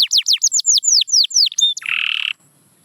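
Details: Canary song meant to bring quiet canaries back to singing: a quick series of descending whistled notes, ending in a short harsh buzzy burst before silence.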